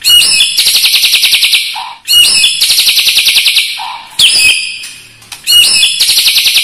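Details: Loud, high, buzzy rattling trills from a white-rumped shama, each lasting about one and a half seconds and repeated every two seconds. The bird's song includes mimicked lovebird and other birds.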